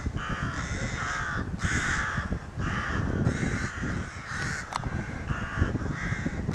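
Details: At a rookery in May 2018, crows around their nest keep up excited calling: around eight harsh caws in a rolling sequence, one sharp click, and steady low background rumble.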